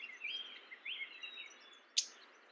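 Mourning warbler: faint, thin chirping notes in the first second and a half, then one sharp, loud chip near the end, over soft background hiss.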